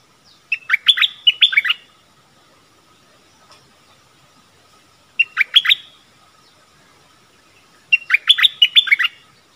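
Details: Stripe-throated bulbul, a caged decoy bird used to call in wild birds on 1 April 2021, which came but did not come down, probably with chicks in a nest. Three bursts of bubbly, chattering notes about three seconds apart over a faint steady hum.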